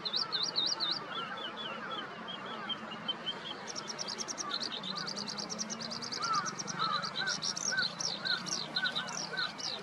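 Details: A Eurasian skylark sings in the morning, 15 May 2021, at the garden east of Yanagishima Sports Park, Nikon COOLPIX P1000; looping high whistles give way to dense buzzy chirping, while a lower bird calls in the background.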